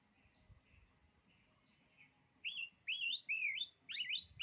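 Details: ['Oriental magpie-robin song said to daunt rivals: faint soft notes, then four loud, sweet whistled phrases, each swooping up with a wavy, slurred ending, the last one doubled and hurried.']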